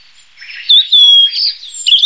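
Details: Song of a blue-and-white flycatcher: a short, clear, sustained whistle, then a level drawn-out note and a rising slurred end, pure and bright against a soft warbling background.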